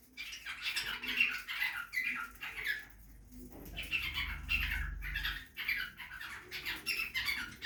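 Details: Budgerigar in a backyard aviary during feeding: rapid, uneven bursts of raspy warbled chirps, with a short pause near three seconds and a low rumbling noise in the middle.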